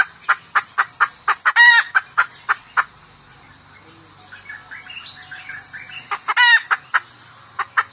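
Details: Hen calling the rooster, giving rhythmic short clucks with two loud squawks. A softer chirping bird sings between the bursts, and a high insect hum runs throughout.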